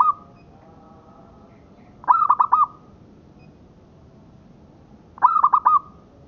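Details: Local-strain zebra dove song, kept as a tutor recording for training other birds. Two separate phrases, each a quick stutter of four clipped notes running into a held, even coo, about three seconds apart, with a faint hiss behind.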